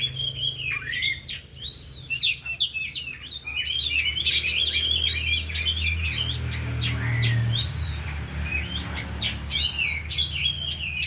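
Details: Four oriental magpie-robins singing during an afternoon training session with isian fill-in material: jumbled whistles, buzzy slurs and quick twittering, heavy at first and thinning later, with a low rumbling hum growing in the background.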